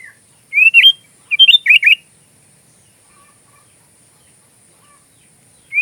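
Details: Sooty-headed bulbul, an active singer used as filler song for magpie-robins: a rising whistled note, then a burst of three or four loud slurred notes, a long quiet gap, and another rising note at the end.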